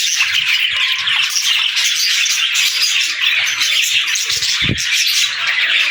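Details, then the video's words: Crowded budgerigar chatter of rapid squeaky chirps and buzzy warbles, steady throughout, with soft knocking sounds and one louder thud near the end. "Budgie Talking | Parakeet Singing"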